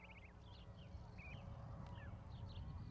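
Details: Baby goslings sitting on an osprey nest platform with a parent, Charlo, Montana, 12 May 2020: a quick rippling run of high peeps, then several short rising-falling cheeps over a low rumbling hum.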